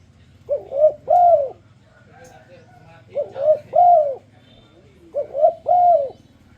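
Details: Spotted dove performing a luring song to set other doves singing: three evenly spaced phrases, each a quick double coo leading into a long curved coo, repeated about every two seconds above steady low hum.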